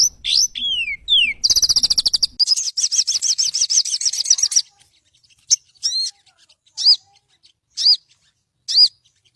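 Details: Sooty-headed bulbul song prepared as tutor material: swooping high whistles, a dense buzzy trill lasting about three seconds, then spaced single sharp chips roughly once a second amid near silence.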